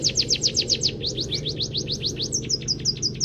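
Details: Munia (peking emprit kaji) trained with canary song: rapid descending whistled notes shifting to rising slurs, then a quick high stutter, all over a faint constant hum.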